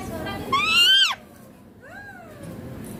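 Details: Green Indian ringneck parakeet in India talking in Hindi: a loud, harmonic voice-like phrase sweeping up and then sharply down for about half a second, followed after a pause by a softer, falling, drawn-out syllable.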